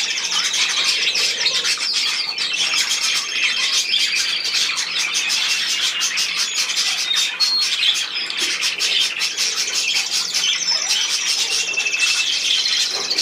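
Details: Steady, busy budgerigar chatter: overlapping high twittering, chirps and scratchy warbled phrases with no pause, plus a few brief clear whistled notes.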